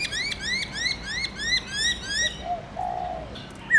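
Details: Black-throated laughingthrush singing its forest-voice style with many notes, a morning training song. A fast series of about ten rising whistled upslurs, then lower drawn-out notes and a final sharp phrase.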